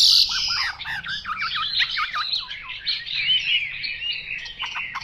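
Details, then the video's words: Chinese hwamei 'mộc dở' song, a rapid tumbling sequence of looping whistled notes and chatter, varied and continuous throughout. "Họa mi mộc dở"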